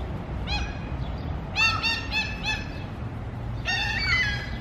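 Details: Mew gulls at food give short bursts of nasal, harmonic yelping calls: a single cry, then a quick run of four, then a longer squealing call, with low rumbling noise underneath.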